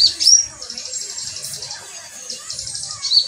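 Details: Metallic pygmy sunbirds in a group, singing high, thin chirps that open into a fast buzzy trill, with a short sharp note repeated near the end and faint low rumbling beneath.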